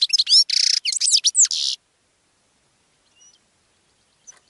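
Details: Goldfinch song for attracting other birds, a dense chatter of high twitters and buzzy notes lasting under two seconds, followed by near silence with a couple of faint ticks.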